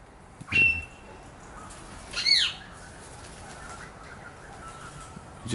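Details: Pied butcherbird, one of a family of five visiting in the morning on Jun 29, 2016, wary and calling to each other while a butcher bird chases them, gives clear, flute-like notes: a high steady whistle, then a louder arched note.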